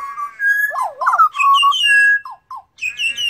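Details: Fluty, melodious song of a wild pied butcherbird in Australia, a mimic of other birds: steady whistled notes step between pitches, broken by quick looping trills, with a higher clear phrase after a short gap.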